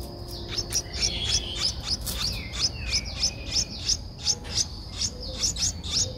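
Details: Eleven-day-old Streak-eared Bulbul nestling, Ubon Ratchathani, Thailand, recorded 13 April 2023: steady stream of high, piercing chirps roughly three per second, with a couple of softer descending whistles mixed in midway.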